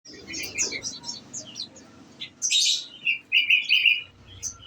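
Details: Caged olive-backed sunbird kept on nectar, giving its rapid 'nembak' (shooting) style song: scattered high, sharp chirps and short bright bursts, with a louder buzzy burst midway and a quiet background.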